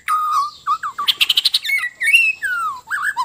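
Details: White-rumped shama of Sabah, Borneo, in loud relaxed song: rich fluty whistles, a rapid burst of ringing clicks, then more sweeping, descending whistled phrases delivered without pause.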